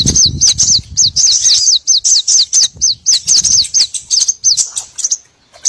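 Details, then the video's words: Small birds used to lure and trap small birds: a long run of sharp, high, flicking chirps repeated rapidly and fairly evenly, with light low rumble beneath. "MP3 BURCIL COCOK UNTUK PIKAT SEGALA JENIS BURUNG KECIL"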